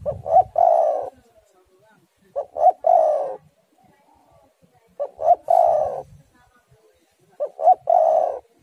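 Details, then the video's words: Spotted dove song from a lure recording meant to prompt doves to sing, set against storm wind. Four evenly spaced phrases, each two clipped coos then a long vibrating coo, repeat roughly every two and a half seconds. "tekukur super gacor suara angin ribut"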